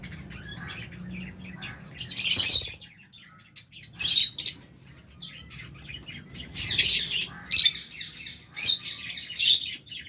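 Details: Albino and Fisher's lovebirds eating in a shared aviary with budgies; loud shrill chirp bursts spaced one to two seconds apart, growing more frequent toward the end, with quiet gaps between.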